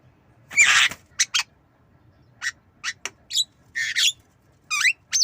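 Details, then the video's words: Javan myna, nodding, learning to cough: a single loud harsh burst and two quick chips, a silent stretch, then scattered squawks, rasps and a couple of sharply rising whistled slurs. "Jalak kebo Manggut Belajar Batuk"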